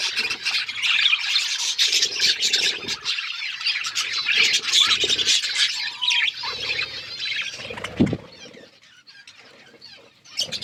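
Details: Outdoor aviary flock of budgies, called wild: busy overlapping chirps and harsh squawky notes in bursts, thinning out near the end with a brief low thump and short pauses.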